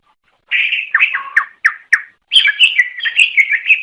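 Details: Greater green leafbird singing to lure other leafbirds: a rising whistle, several sharp downslurred notes, then a continuous rapid warbling stream of varied chirps.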